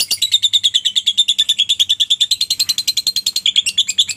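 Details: Lovebird long ngekek, played as a lure so other lovebirds join in: a sustained, fast, metallic chatter of shrill high notes, roughly seven per second, steady throughout.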